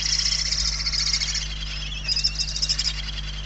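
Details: Begging of hungry barn owl chicks indoors at a Spanish nest, 28 November 2023: overlapping hoarse hisses, a long one fading after a second and a half, then a fresh pulsing burst, with a steady hum below.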